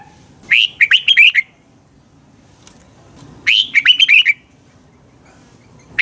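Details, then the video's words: Red-whiskered bulbul morning training song: two lively phrases of upslurred and looping whistles about three seconds apart, with the onset of a third at the very end. "Luyện chào mào hót sáng"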